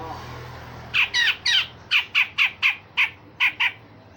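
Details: Grey-cheeked bulbul heard in lively song of rough rasps and sharp shots, used to train other songbirds: after a brief quiet, about ten loud, harsh, clipped notes follow in quick succession.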